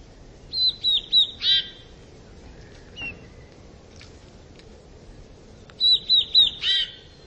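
Eurasian bullfinch singing two brief phrases several seconds apart, each a few quick, high, thin whistled notes ending in a harsher, burry note, against quiet background.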